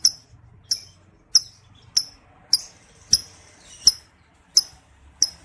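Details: Male lovebird call used to bring other males into breeding condition and make them trill; sharp, very high chirps repeated roughly every 0.6 seconds, with faint low background hum.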